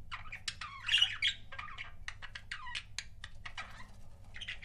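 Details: Paired pet budgies chatter in a rapid stream of short, scratchy chirps and squeaky notes, densely packed and irregular, over a faint background hum.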